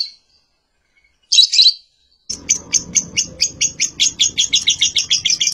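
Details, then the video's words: Lovebird calling: a lone shrill squeak, a brief harsh burst, then a quickening run of sharp, high chirps repeated several times a second. "Lovebird Calling Sound"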